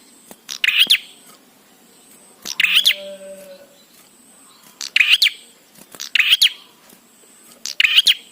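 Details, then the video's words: Bar-winged prinia song for coaxing prinias to sing: energetic, sharp chirped phrases repeated every one to two seconds, with a brief soft murmur between two of them. "Prenjak Gacor Suara Ampuh💯% BIKIN PRENJAK CEPAT BUNYI"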